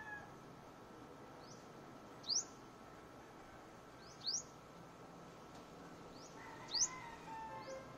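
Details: Luzon sunbird: three sharp, high, rising chip notes, each very short and about two seconds apart, over a low steady background hum.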